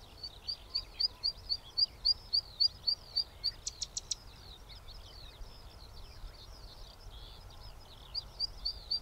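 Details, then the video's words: Song of a zitting cisticola, filmed on a Sony A7R4A with a 200-600mm lens: evenly spaced, high, sharp 'zit' notes, about three or four per second, broken by a brief burst of buzzy noise and softer chatter before the series resumes. "개개비사촌 소리 - Cisticola juncidis song"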